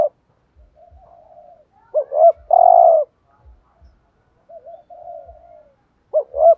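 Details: Decoy spotted dove in 'thúc gù' coo style, meant to excite wild doves. One complete phrase, two quick hooked notes then a long rich coo, and a second phrase starting at the end, with faint quavering coos in between.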